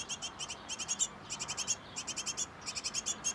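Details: Great tit nest box with a busy pair feeding nestlings; clean, regular bursts of three to five quick, high, shrill chirps each, repeating with short pauses over a quiet background.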